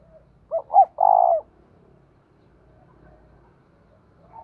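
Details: Spotted dove decoy calling to attract wild doves: a quick three-part phrase of short and long low coos, the last broad and burry, followed by faint low background rumble and a distant faint note.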